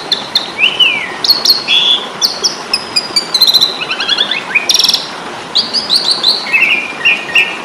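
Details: Asian pied starling fighting song for tutoring songbirds: varied whistles, descending slurs and fast trilled bursts, including a loud broadband rattle midway, over continuous background hiss.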